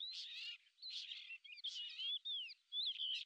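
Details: A hovering, hunting lesser grey shrike is credited with this: four short bursts of scratchy, squeaky chatter with slurred whistles, roughly every three quarters of a second.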